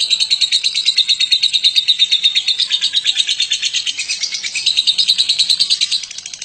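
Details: Sustained ngekek chatter by a Batman lovebird, meant as a master for other birds to learn: rapid piercing pulses rolling on continuously, fading slightly at the very end.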